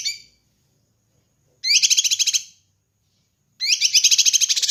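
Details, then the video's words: Kinoi bird song meant to train and lure birds: two bursts of rapid, buzzy rattling trill, each about a second long, separated by a short silence. "Masteran Dan Pancingan Burung Kinoi"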